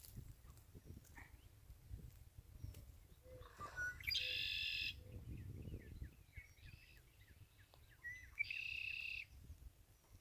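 Red-winged blackbird gives two harsh, buzzy trills about four seconds apart, with a run of quick short chips between them, over a low rumble of wind or distant traffic.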